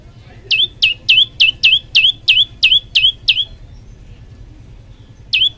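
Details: Olive-backed tailorbird singing vigorously: a fast run of sharp, downslurred notes that end in a flat high whistle, about three per second, then a pause and two more notes. A low hum sits underneath.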